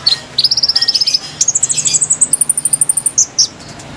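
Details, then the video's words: Konin song for luring wild birds, made of a quick series of crisp high notes that step upward in pitch into a very high, thin run, ending with two isolated chirps. "MASTERAN GACOR PIKAT KONIN KONIN LIAR | KICAU MERDU ASLI SUARA BURUNG"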